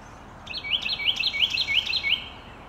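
A Carolina wren sings a loud, rolling run of about six quick, rich whistled phrases, repeated rapidly over less than two seconds, with faint background hiss.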